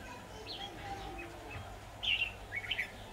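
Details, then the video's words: Trapping decoy red-whiskered bulbul, 23 October 2019: faint, thin whistles first, then two quick, louder warbled phrases toward the end, over a low steady hum. "Bẫy chào mào"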